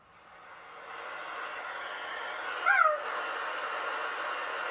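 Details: A Common Loon (Gavia immer) gives its hoot call, a single short, soft hoot sliding slightly downward, heard once over a steady background hiss.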